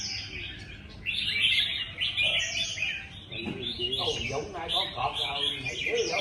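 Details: Red-whiskered bulbul singing in a singing contest: bright, rapid warbled and chirping phrases, loudest from the first second on, with a man's voice talking over the latter half.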